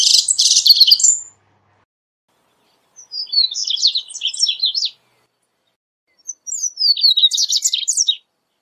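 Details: Seedeater (corbatita) song used for teaching birds to sing and for calling them: bursts of rapid, high twittering and buzzy trills lasting one to two seconds, separated by clear pauses.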